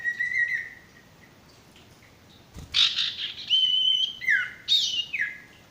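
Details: Male sirtu singing, recorded to train birds that are stressed or have stopped singing: a thin level whistle, a quiet gap, then a loud burst of chattering notes and downward-sliding whistles.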